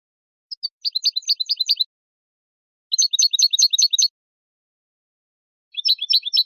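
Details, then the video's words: Basic song phrases of a European goldfinch with tabletas: three separate bursts of rapid, high, clicking twitter notes, each about a second long, split by silent pauses. "CANTOS BASICOS DEL JILGUERO ** TABLETEOS"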